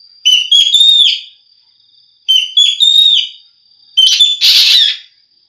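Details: Asian glossy starling song used to provoke rival birds into singing: loud whistled phrases with metallic rising notes, repeated about every two seconds, the last phrase ending in a harsh hissing burst, with a steady high electronic tone underneath.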